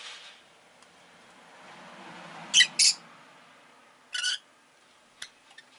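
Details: Rosy-faced lovebird giving scattered shrill, harsh chirps, a pair and then a single, over a steady rushing background hum, with a few faint clicks.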